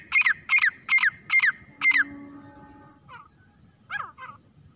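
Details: Five loud, harsh grey francolin notes in quick succession, each with a rising then falling squeal, followed by quieter, scattered answering notes against soft background noise.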